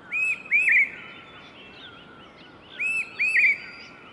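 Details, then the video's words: A noisy large hawk-cuckoo in Tsimasham and Tsimalakha, Bhutan, giving shrill, slurred whistles in pairs, each note rising then bending, the pair repeated after about two and a half seconds, with faint chirps from other birds behind. "Birds Call: Large Hawk Cuckoo"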